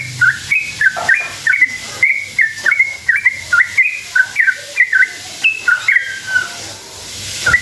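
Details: A sooty-headed bulbul sings an extended rolling song used to make other bulbuls respond excitedly. Crisp whistled two-note phrases, swooping low then high, repeat in a steady brisk rhythm over about seven seconds.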